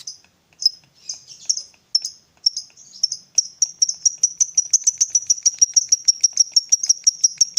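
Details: A fighter lovebird ticks in sparse high notes that quicken into a rapid, steady ticking run, in the ngetik sambung ngekek style. The recording is meant to prompt a quiet lovebird to reply.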